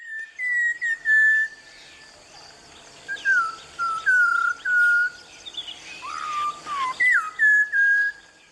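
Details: Malabar whistling thrush singing by a stream in the evergreen Tilari forest, Western Ghats, Konkan–Goa: pure, human-like whistled notes sliding up and down, in short phrases with brief pauses, over a quiet forest background.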